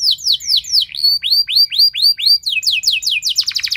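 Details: Canary 'nembak' lure song for prompting other canaries: falling whistles, a series of looping arched notes, then faster chirping sweeps closing in a rapid trill.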